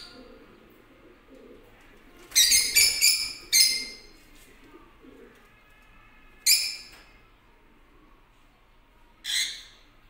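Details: Yellow lutino lovebirds giving shrill, harsh, high chirping calls in short clustered bursts around two to four seconds, then single sharp calls near six and a half and nine seconds, with quiet pauses between.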